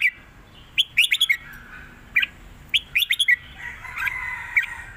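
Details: Red-whiskered bulbul delivering southern 'mae bot' style song: clusters of rapid liquid chirps in quick runs, separated by brief pauses, with a faint drawn-out trailing note near the end.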